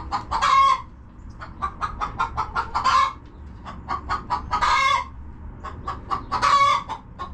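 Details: Homestead chickens in their coop: rapid short clucks interrupted by four loud, harsh, drawn-out squawks spaced a second or two apart, with quiet gaps between bursts and a low hum underneath.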